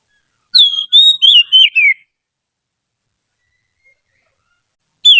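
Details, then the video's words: Oriental magpie-robin, trained and kept as a singing tutor, gives a phrase of five quick whistles that slide downward and twist, ending in a falling slur, then falls silent for three seconds before a new phrase begins. "Suara burung kacer terlatih || cocok untuk MASTERAN"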